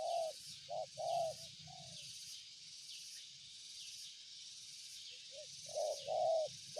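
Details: A spotted dove gives soft hollow coos in short groups, first at the start and again near the end, over a constant high insect drone and a low rumbling background noise.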